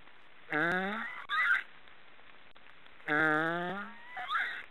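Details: Snoring black storks give two drawn-out nasal, honking calls about two and a half seconds apart. Each rises slightly in pitch and is followed by a short hoarse, breathy rasp. The background is otherwise quiet.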